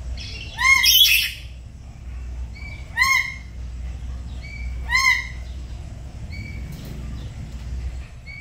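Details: Black-capped lories kept as pets at home, a duet in the morning while learning chatty song: loud harmonic squawking calls, a rough burst first, then rising clipped notes about every two seconds, with low background hum.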